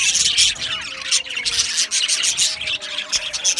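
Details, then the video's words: Aviary colony of budgerigars producing loud, dense high-pitched chirping and scratchy warbles, many birds calling at once in a constant chorus. "Beautiful Australian Budgie birds Chirping Sounds"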